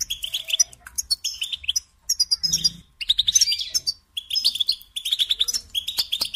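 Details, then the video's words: Training song of the European goldfinch for songbirds: clusters of quick bright chirps and buzzy trills in bursts, broken by brief gaps, with a faint low hum in one pause. "Teaching Singing Lessons Through Goldfinch Motives"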